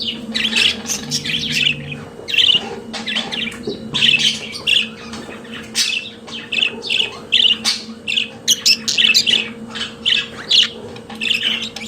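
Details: Domestic budgerigar song: continuous rapid chatter of harsh squawks, clicks and buzzy warbles, phrases crowding one after another for the whole stretch, with a low background hum.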